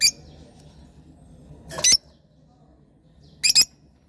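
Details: Lovebirds give two short, harsh, shrill squawks, each a quick double burst, about a second and a half apart, with quiet room hum in between.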